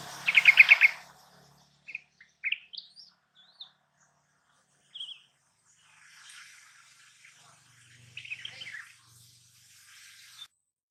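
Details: Yellow-vented bulbul, caged, a lure for a bird that refuses to sing: an opening burst of rapid bubbly notes, then scattered soft chirps, short rising whistles and a faint low hum.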